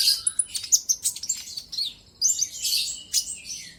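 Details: Olive-backed sunbird song played to provoke a rival into singing: busy, very high chattering and twittering phrases in quick bursts, a short pause, then another scratchy, jumbled high-pitched burst.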